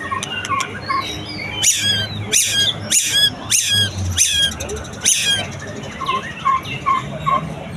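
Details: White-rumped shama after moulting, heard in a mix of short whistled notes and high chips. Sharp clicking bursts repeat about once every 0.7 seconds, followed by a series of four clear mid-pitched whistles.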